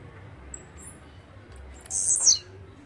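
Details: Song of a blue-black grassquit (chirrio, pirra, tiziu, volantina): one short, harsh, very high buzz that drops in pitch at its close, preceded by faint thin ticks, with a soft low rumble underneath.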